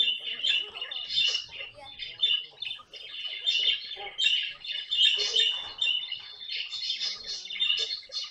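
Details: A pet caique keeps up steady, harsh squawking, rough notes repeated several times a second, swelling louder near the middle, during amusing scenes with the parrot.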